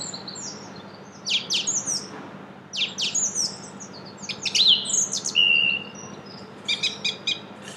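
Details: April song of a song thrush in Brussels, Belgium: sharp strident notes repeated two or three times in quick groups, mixed with a drawn whistle and a fast rattling phrase, low hum beneath.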